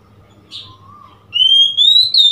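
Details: Oriental magpie-robin, 3 March 2021. A short burst and a faint lower whistle come first, then a loud, pure whistle rises steadily for about a second, with a brief flourish at the end.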